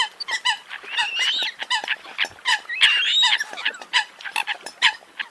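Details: Many Eurasian coots calling at once: a busy tangle of brief honks and trumpeting notes, with a few drawn-out squealing glides rising above the stream.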